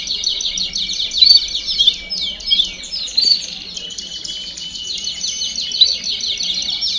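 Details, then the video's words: Chorus of several domestic canaries singing together, meant to stimulate young birds to sing; a long unbroken wash of rapid high-pitched trills and rattles, with a steady thin tone underneath and brief sharp accents. "Baderna de Canario Do Reino Canto Para Estimular Filhotes a Cantar Mais Rápido"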